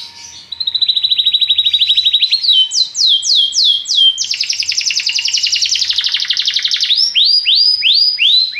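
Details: Popular song of a Belgian canary: a loud continuous fast trill, a series of swooping descending notes, then a dense buzzy rolling trill and more swooping notes, loud and sustained.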